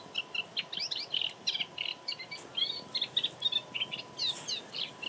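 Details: Two male moustached warblers singing at Jaroslavice fishponds, Czechia, on the evening of 31 March or the morning of 1 April 2022, in rather unpleasant weather: a fast, continuous run of varied chirps and sweet, rising notes, with a faint steady high hiss behind.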